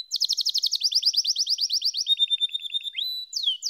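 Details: Fast high trill from a canary, sharp syllables repeated many times a second, shifting to a lower, softer trill and ending in whistled slurs.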